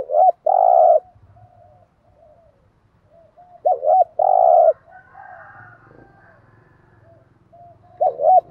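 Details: Thúc gù lure coos of a spotted dove aimed at wild doves: three loud phrases about four seconds apart, each a long buzzy coo or double note, over faint soft cooing and a low rumble.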